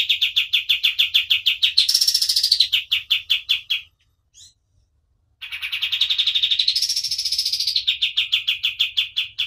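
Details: Hard-singing white-eye used as a tutor recording: rapid chips and buzzy rising trills, a silent gap of over a second, then another long chipping phrase with a second trill burst.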